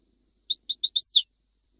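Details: Short goldfinch phrase in the Jijel style from Algeria: four quick, high chirps evenly spaced, then a slurred, descending twitter, all within under a second, in silence.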